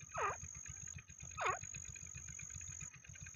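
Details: Francolin calling, recorded for hunting use: two strong, scratchy notes that dip and hook upward, roughly 1.2 seconds apart, with a constant low engine-like pulsing and a faint high-pitched tone behind.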